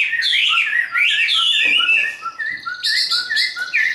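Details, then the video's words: Hand-raised caged Chinese hwamei in fighting song, loud rich whistles sliding down, then a series of short repeated upslurred notes alternating with higher trills. "Họa mi số 1120 Chim thuần 100% sách tay hót đấu đá rất tốt"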